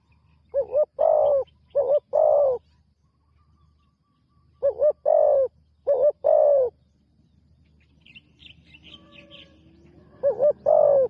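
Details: Spotted dove on its first training outing as a ground decoy: paired deep coos, a brief note then a longer rounded one, in groups separated by silent pauses; faint high chatter of other birds heard near the end.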